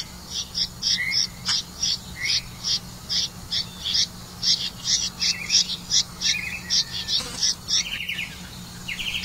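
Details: Red-vented bulbul bringing crickets to its young; short buzzy high chirps repeat in a fast, fairly even series, about two or three per second, over a constant low electrical-sounding hum.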